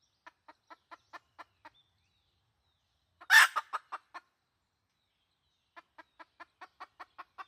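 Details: A red junglefowl hen calls in a 2020 lure recording: soft regular clucks, a burst of loud harsh squawks with stuttering notes, a long silence, then clucking again.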